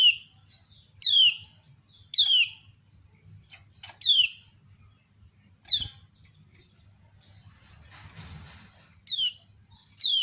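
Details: Female kecial kuning (white-eye) calling while others answer: repeated bright, descending slurred chirps about once a second, with scattered thin ticks and short overlapping notes from other birds, over a low hum and a brief burst of rustling.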